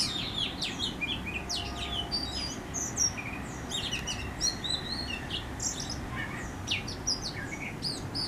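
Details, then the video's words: In a Howrah backyard, West Bengal, an Oriental magpie-robin gives a jumble of high whistles, sharp chips and slurred notes in quick bursts, with quieter lower tones and constant background hum. "Lullaby By An Oriental Magpie Robin"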